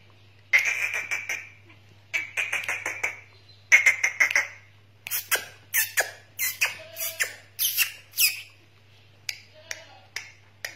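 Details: Black francolin, known locally as kala teetar, gives three short bouts of harsh, rasping, rapidly repeated notes. Sharp clicks and knocks follow, with a steady low hum throughout.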